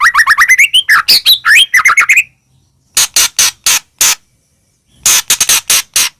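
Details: White-rumped shama of the Medan type in full song, used to provoke other shamas: a rapid run of rising whistled notes, then separate harsh, rasping bursts delivered in quick groups.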